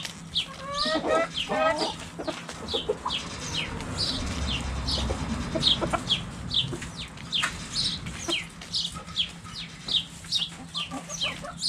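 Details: Backyard chickens playing cabbage volleyball: a burst of rich, stacked clucks at the start, then mostly high, downward-slurred chirps repeated about twice a second.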